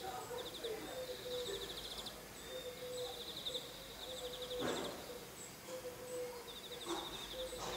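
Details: European greenfinch (Chloris chloris), call.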